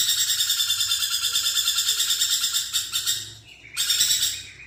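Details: Lorikeet in a loud, continuous, harsh chattering trill, evenly pulsed and high-pitched for over three seconds, briefly fading before a fresh burst.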